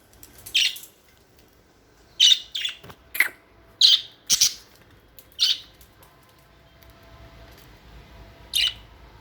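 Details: Budgerigar chirps indoors, coming as scattered short, high, scratchy squawks in small clusters of two or three, separated by pauses of a second or more.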